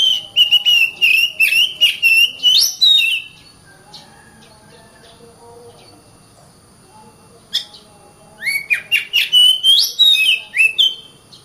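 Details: Kacer (Oriental magpie-robin) singing in the 'gacor rapat' style: about three seconds of fast varied whistles and slurred notes, a long quiet spell with faint calls, then another rapid whistled burst.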